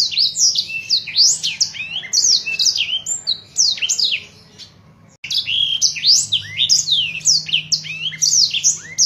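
A Black-throated Canary sings a fast, continuous high twittering warble of sweeping and trilled notes, pausing briefly midway, over a faint low hum.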